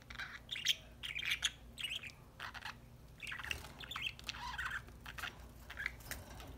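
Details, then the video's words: Budgies at play while eating a corn treat, chattering to each other in quick, buzzy chirps and warbles grouped into short bursts, with a faint steady hum underneath. "My budgies enjoying corn treat, playing and singing"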